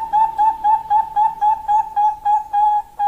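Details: Female Bangkok zebra dove calling to a male, used as a lure: a steady run of quick, mellow whistled coos, about four per second, level in pitch with short gaps between notes.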